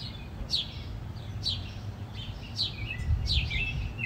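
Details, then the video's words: House sparrows in a fight: four bright, descending chirps spaced about a second apart, with short trailing notes, against low rumbling background noise. "The Epic House Sparrows Fight"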